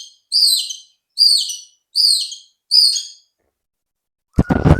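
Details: White-rumped shama song used as a lure to get other shamas singing: four matching high, slurred whistled phrases about a second apart, then a pause and a short burst of noise at the end.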